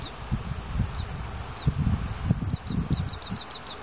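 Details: Oriental greenfinch (Chloris sinica) fledglings in Hiratsuka, Kanagawa, Japan, chase their parents and beg for food in the breeding season, giving thin, high, falling chirps, scattered then a quick run of six, over wind rumble and insect hiss.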